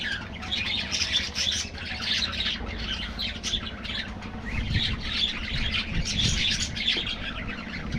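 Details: Many budgies in an aviary colony chattering together, a steady wash of bright chirps and short scratchy squawks rising and falling over a low rumble.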